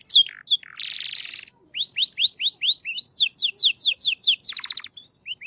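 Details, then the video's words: Canary in shant-style song: high whistles, a buzzy rattle, then a series of quick downslurred notes giving way to rapid rolling trills. No other sounds. "shant canari"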